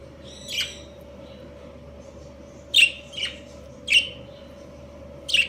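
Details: Budgerigars, a breeding pair of Australian parakeets, give five sharp, rasping chirps at irregular intervals, a quick pair near the middle, against a steady background hum.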